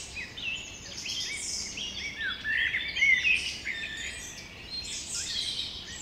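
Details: Spring birdsong in Carlsbad Flower Field, California, USA: several birds chirp and twitter together in high, overlapping bright notes, with a steady soft outdoor hiss underneath.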